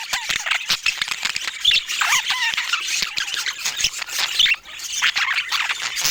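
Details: Budgerigar chatter, with no speech or music: busy overlapping chirps, gravelly squawks and bending whistled notes from a group of birds, punctuated by crisp clicks, with a brief lull near the end.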